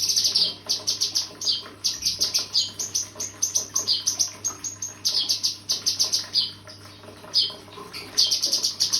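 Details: Bright, high-pitched chattering song of a cucak kinoi: quick strings of sharp chip notes repeated in clusters, pausing now and then before resuming, with faint hum underneath.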